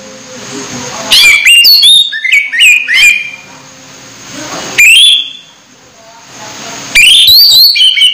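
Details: Orange-headed thrush near its moult, still in full voice, delivering separated bursts of rich whistles, sharp upward-slurred notes and twittering runs, with short quiet gaps and a faint low background murmur between phrases.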